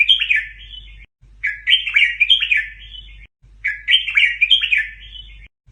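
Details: Red-whiskered bulbul song in the doubled style used to teach young birds: bright warbled whistled phrases, each stuttered twice in quick succession, repeated after brief silent breaks about every two seconds over a faint low hum.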